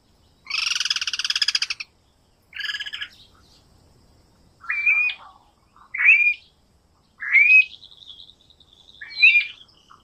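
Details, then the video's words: A guira cuckoo (Guira guira, anu-branco), a South American bird, opens with a harsh, rattling burst, then gives a run of loud, inflected whistles about every one and a half seconds. "Anu branco,Guira guira, cantando -canto do anu branco"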